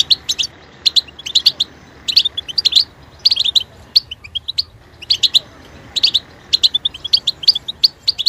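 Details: European goldfinch song used to inspire and train kept goldfinches: bursts of bright, tinkling twittered notes and short buzzy chirps, grouped in clusters about every half second to second, with faint background hiss.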